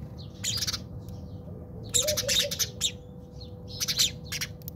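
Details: Backyard in South Africa where house sparrows are fighting; scattered harsh chirps build into clustered bursts of chattering notes, separated by short pauses, with a constant low background hum.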